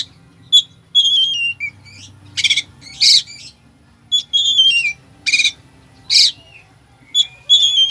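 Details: Full fill-in song of an Oriental magpie-robin, for goading a slow bird into song: repeated descending whistled phrases interleaved with loud rasping bursts about every second, faint hum below.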